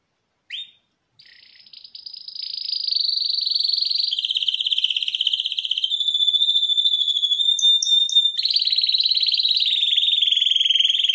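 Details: Champion canary singing in 2021: after a brief opening chirp, an unbroken run of rapid rolling trills sits high and steady, shifts to a smoother sustained tone with faint higher whistles, then jumps into a louder, buzzier trill.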